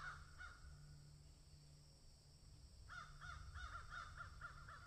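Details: In a field, crows open with a couple of rough caws, fall silent, then burst into a quick string of about eight hoarse arched caws over a low droning hum.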